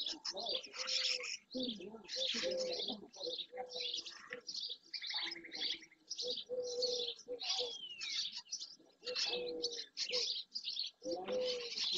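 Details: Flock of dozens of barn swallows, juveniles among them, around a marsh-side centre in Doñana National Park, Spain, early June; continuous high, busy chirping and twittering, with repeated low, flat tonal calls from other marsh birds underneath.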